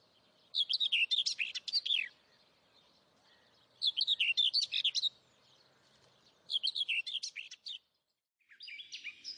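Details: Saker falcon chicks on a webcam-monitored nest in Hungary, 11 May 2012: three rhythmic bursts of rapid, shrill, slurred squeals, each about a second long, followed by a fainter, rougher squeal at the end.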